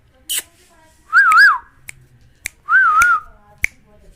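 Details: Pet Indian ringneck parakeet, a talking bird, whistling two wavering tonal phrases about a second and a half apart, between sharp finger-snap clicks in a small quiet room.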